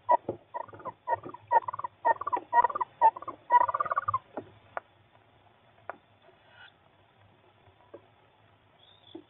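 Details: Female tawny owl returning to her nest box late in the morning, chatting with her young; dense bursts of rasping, chittering calls for about four seconds, then sparse faint notes, captured by a nest box camera.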